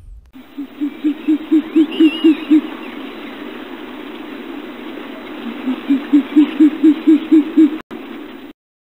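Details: Short-eared Owl in Idaho giving two runs of low, hollow hoots, about eight quick evenly spaced notes each, repeated after a pause; faint background hiss.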